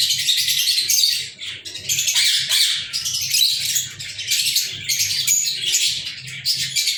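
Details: On 14 February 2023, several kept lovebirds chatter in repeated bursts of sharp, high squeaks and chirps separated by short gaps, with a low steady hum underneath.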